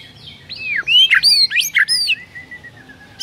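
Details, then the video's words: White-rumped shama singing energetically in the morning, a rich song: loud rising and falling whistled slurs, some with buzzy overtones, packed into a burst of about one second, then a long thin fading whistle over low background rumble. "MURAI BATU GACOR ISIAN MEWAH"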